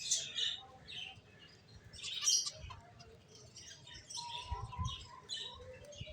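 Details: ['Finches chirping in short, high, twittering bursts, with a faint lower whistled note and occasional soft thumps.']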